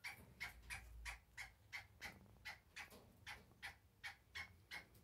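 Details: Black francolin, known locally as kala teetar, from breeding pairs: a quick run of short, harsh clucking notes, roughly three per second and fairly even, over a faint low rumble.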